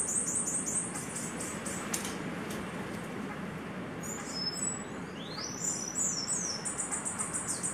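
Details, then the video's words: A male Slate-colored Seedeater, on the farm since November 2019, sings all day and chases other birds: very high, thin chipping notes in quick runs, then sharp rising buzzy phrases, over a steady rushing background. "slate colored Seedeater male singing"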